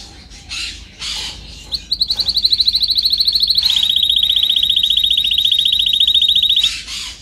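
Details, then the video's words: Canary song made for training: brief soft notes lead into a long, rapid, ringing trill of pulsed high notes that drops slightly in pitch partway and continues evenly for several seconds. "Canary singing"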